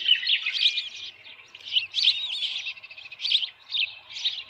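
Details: At the Osprey nest with a headless fish on a June 2018 evening, quiet clusters of squeaky, warbling chirps rise and fall, coming in uneven bursts about every second.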